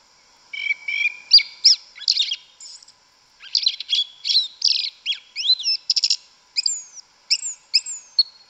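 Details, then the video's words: Forest song ('canto mateiro') of a yellow-legged thrush: a long, varied string of sharp chirps, slurred whistles and buzzy notes in close bursts, with a brief gap partway through. "Sabiá Una cantando no mato. Lindo canto mateiro da sabiá preta"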